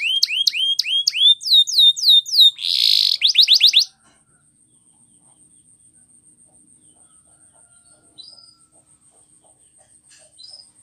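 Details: Canary training song: rising whistled notes and a short harsh buzzy burst fill the first four seconds, then near silence with a faint tick and two soft chirps.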